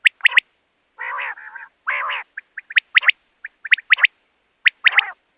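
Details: Common quail calling as a trapping lure. Long harsh, buzzy, churring notes give way to crisp triple-note phrases repeated about once a second, with faint low notes between.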